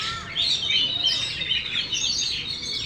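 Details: Short passage from a caged Oriental magpie-robin, a contest winner with its tail fully spread, singing a dense jumble of quick chirps, slurred whistles and chattering notes.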